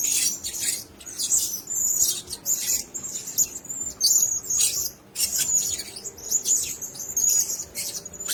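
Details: Blue-crowned hanging parrot giving thin, very high squeaky chirps in quick clusters, repeated almost without pause across the clip, with soft rustling or fluttering noises between bursts.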